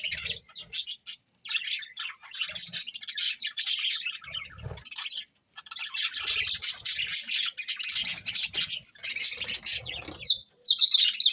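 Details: Budgerigars chirping in a busy, continuous chatter of high warbled notes and squawks, several birds overlapping with brief pauses and soft low thumps.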